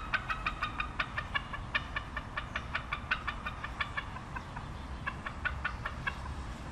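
A bald eagle gives a long run of quick, thin, chirping notes, about four or five each second, over a steady low rumble of wind or distant traffic.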